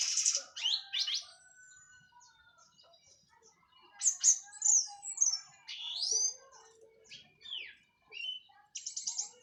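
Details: Orange-headed thrush, Cililin local bird after moulting, sings varied high phrases: sharp whistles, quick descending slurs and chattering notes in irregular bursts, about two a second, with a faint steady tone underneath.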